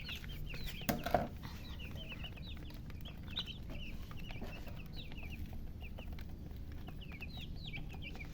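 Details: Chicken chicks, several birds chirping together: many short, high, falling peeps overlapping in quick succession at an uneven rate, over a steady low background rumble.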